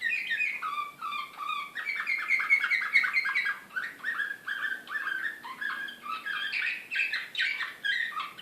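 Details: Belgrade canary singing in Serbian slavujar style, 2016, excited: a long running phrase of rapid chips, low rolled tours and buzzy trills, repeated notes coming several per second with little pause.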